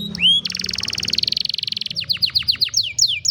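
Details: Canary song recorded on a cellphone: a rising whistle opens into a long buzzy rolling trill, followed by evenly spaced falling chirps, with low background rumble beneath.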